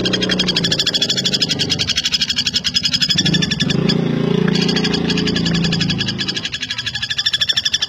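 Common flameback giving a fast, high, dry rattle that runs on almost without a break. Low droning, music-like tones sound underneath.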